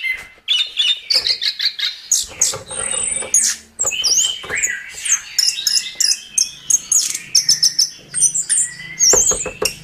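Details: Chestnut-capped thrush (anis kembang) tutor song for songbirds: energetic high chattering and whistled phrases with a drawn-out high tone, over a faint low background hum.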